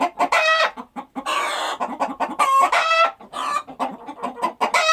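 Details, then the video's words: Chickens on a rural farm busy with their daily routine. A harsh drawn-out cackle and several ringing squawks sound over a background of short, rapid, low clucks. "Chicken Clucking Sound Effect"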